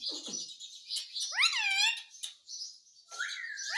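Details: Talking Indian ringneck parakeet, a Hindi-speaking pet bird, utters buzzy high chatter around a strongly harmonic arched call that dips and rises, then ends with a rising whistled note.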